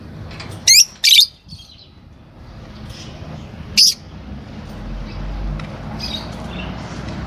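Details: Green Fischer's lovebird pair, caged pets, giving a few loud, harsh high chirps: two close together near the start and one more about three seconds later, then faint soft chatter over a low background hum.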